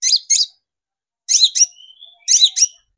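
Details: Long-tailed shrike lure recording to make shrikes agitated and vocal: three pairs of loud harsh, grating notes separated by pauses, with a faint thin whistle drawn out between the second and third pairs.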